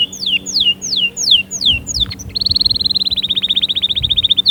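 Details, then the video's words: Canary song with a series of downslurred whistled notes, a short gap, then a fast, evenly pulsed trill of repeated notes lasting about two seconds. "أقوى💪 تحفيز لطيور الكناري📣 أأأستحالة يصمت معها نار نار👉cinary_singing2020"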